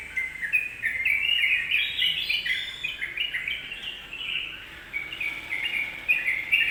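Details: Yellow-vented bulbul lure song meant to provoke other birds: rapid, liquid chirping phrases that rise and fall, pausing briefly near the middle, with soft background hiss.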